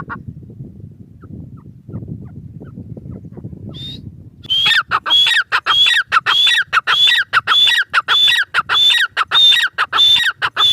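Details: Grey francolin, known locally as teetar, giving its call: after a few seconds of low background noise, loud repeated phrases begin, each a high whistle dropping into a harsh descending note, given at an even, rapid rhythm.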